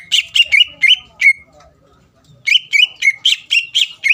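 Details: Greater green leafbird provoking song meant to make rivals answer: quick sharp whistled chirps, a short quiet gap, then another burst of evenly spaced bright notes.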